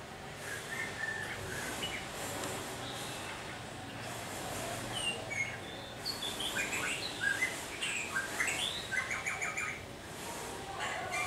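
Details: Caged red-whiskered bulbul, a bird kept one week in its cage, singing competitively: bursts of quick, bright warbled and whistled phrases with rising and falling slurs, densest in the second half, over steady background hiss.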